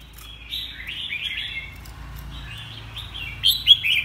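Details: Red-whiskered bulbul giving a few quick, cheerful warbled phrases of slurred notes, then a louder sharp burst near the end, with a low background hum.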